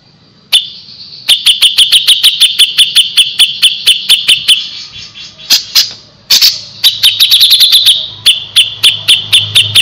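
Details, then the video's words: Long runs of fast, repeated, high ticking notes from a gacor grey-cheeked bulbul, interrupted around six seconds by a few louder clicks, then resuming as a rapid chatter over a low background hum. "suara burung cucak jenggot // cucak jenggot gacor masteran burung cucak jenggot"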